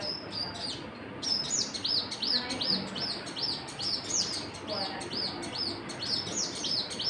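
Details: Busy chorus of birds chirping: quick, high, arched notes repeated rapidly with some overlapping callers and a soft low background rumble.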